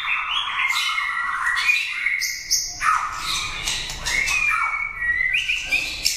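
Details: A caged competition white-rumped shama, a prize winner at contests, pours out a loud, varied song of rich whistles, harsh buzzy notes and rapid trills, phrases changing every second or so.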